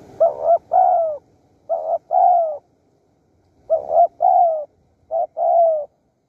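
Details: Spotted dove cooing in Surat Thani, Thailand, as wild doves are lured with a decoy: four clear phrases, each a quick stuttered pair of notes then a drawn-out, slightly falling coo, in a steady rhythm over a quiet background.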